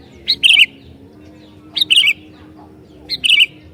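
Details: A sooty-headed bulbul in full voice, calling to provoke rival bulbuls: three crisp bubbling phrases, a high piping start dropping into a fluty chuckle, separated by about 1.3 seconds of near quiet with faint background hum.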